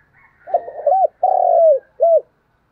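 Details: Low, husky coo phrase from a vigorously cooing decoy spotted dove: stuttering opening notes, a long falling middle coo, then one short rounded final note.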